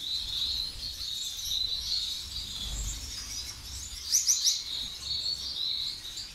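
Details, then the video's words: Gouldian finch in Tunisia singing a thin, high, buzzy warble with quick chirps, rising in intensity around the fourth second, over a faint low background rumble. "Diamant de Gould Tunisie"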